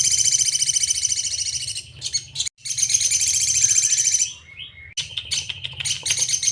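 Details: Crimson Sunbird (sogon) tutor song, sejalur style: a long rapid buzzy trill, a short pause, another extended trill ending in a thin falling whistle, then scattered sharp chirps, above a steady low hum.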